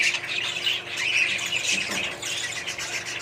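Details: Several budgerigars in a small colony setup chatter together, sharp squawks and high chirps layered into a steady flock noise.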